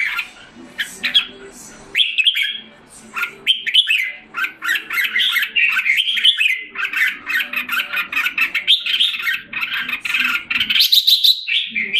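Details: Caged jambul, the red-whiskered bulbul, in Singapore on 7 July 2017 as it recovers health and form. Softer notes open into a long, busy run of lively warbles and chirps, with high sharp notes near the end.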